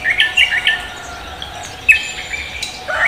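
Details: Lively morning song from a Javan green magpie: three quick high squeaky whistles, a pause, then a sharp single note and a final rising burst, with soft background hum.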